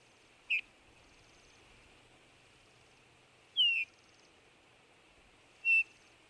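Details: Eurasian bullfinch with three short mellow whistled calls spaced a few seconds apart, the middle one gliding down in pitch, in otherwise quiet surroundings.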